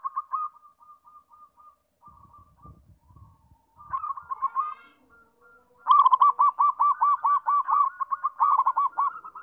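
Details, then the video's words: Zebra dove song used to prompt other local doves to sing: soft, rapid cooing notes near one pitch, a quieter run first, then a louder fast bubbling series of evenly spaced coos with faint clicks. "PERKUTUT SUPER GACOR, BIKIN RAME"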